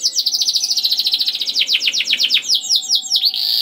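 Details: Canary song meant to stimulate other canaries to sing: a continuous fast trill of bright chirps that slow into sweeping downward notes, with a faint steady tone behind.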